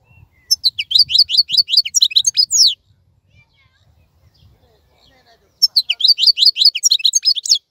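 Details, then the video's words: European goldfinch kept in a cage, singing through the moult: two bursts of rapid high twittering separated by about three seconds of quiet, with faint low background noise. "تغريد افضل من كل تغاريد طائر الحسون الخلوي"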